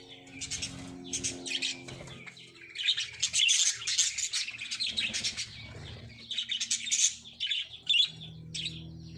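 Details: Breeding lovebirds chattering in rapid bursts of shrill, scratchy chirps and twitters, several notes per second, with brief pauses between bursts and a faint low hum behind.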